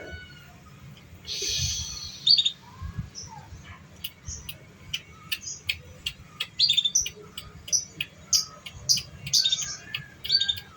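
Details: Canary song used as a lure to train young canaries: a string of quick, high, clicking chips and short whistles that speed up and grow louder toward the end, over a faint low hum.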